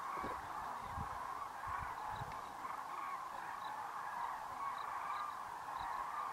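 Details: Wintering Common Cranes in their tens of thousands taking flight in the evening over the Great Rann of Kutch, January 2013; continuous dense trumpeting chorus, occasional higher calls standing out, faint low thumps early on.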